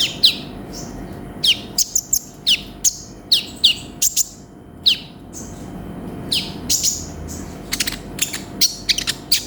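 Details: Lively olive-backed sunbird song from a tutor recording: sharp falling whistles spaced about half a second apart, then clusters of buzzy high chirps and thin notes near the end.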